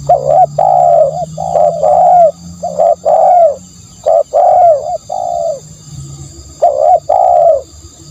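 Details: Spotted dove cooing in groups of two to three soft notes, some arched and some level, with a pause before the final pair. A faint low drone and a steady high hum are also heard.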